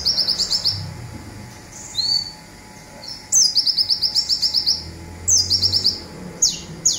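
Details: Local olive-backed sunbird delivering its quick zipper song for bird training: repeated high, rapid ticking trills, a lone slurred whistle between them, then bursts coming closer together toward the end.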